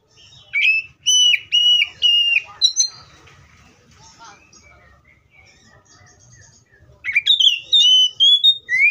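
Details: Oriental magpie-robin singing: loud, clear whistled notes held steady then sliding, in bursts during the first three seconds and again near the end, with a quieter stretch of faint chirps between.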